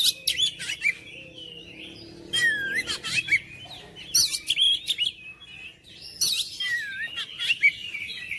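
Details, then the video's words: Oriental magpie-robin song in several bursts: chattering harsh notes mixed with looping whistled slurs that rise and fall. Short gaps separate the phrases across eight seconds, with a soft low hum beneath. "KICAUAN KACER MENGOYAK KACER BISU MALAS BUNYI JADI NGOTOT GACOR"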